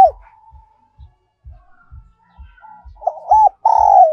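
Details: Decoy recording of a spotted dove in the 'còi' or 'kim' voice style. Quiet soft knocks and faint murmurs lead into a loud phrase of two arched hooting notes and a long drawn coo. A low knocking beat runs throughout.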